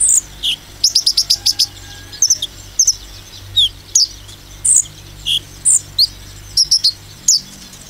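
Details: Sunbird singing in the fast 'nembak' style, used to provoke other sunbirds: high, sharp chirps and quick bursts of five or six rapid notes, with scattered thin slurred whistles between them over a faint low hum.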